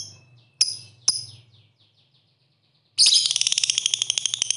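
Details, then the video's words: Lovebird in the ngetik ngekek singing style, used to prompt other lovebirds to sing: two sharp high chirps with fading echoes, then a dense run of rapid, buzzy, high ticking notes, over a low background hum. "pancingan Lovebird agar mau bunyi Ngetik Ngekek"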